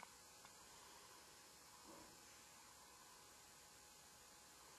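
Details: Steady, faint static hiss fills the recording, with only a soft low rustle and no animal voice.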